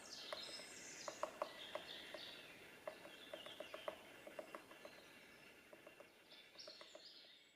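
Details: Lesser spotted woodpecker pecking out its nest hole in spring 2019 at Reastvere, Jõgevamaa: steady but uneven dry taps, often in quick pairs or triplets, continuing throughout, while other birds sing high and thin in the background.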